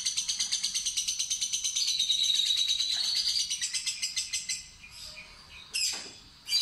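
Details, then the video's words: Lovebird (fighter type) ngekek ngetik trill in a luring trial: around four and a half seconds of fast grating chatter with a whistled slur, then it fades and two short sharp bursts follow after pauses. "Percobaan Pancingan Lovebird Fighter Ngetik Ngekek Terpanjang"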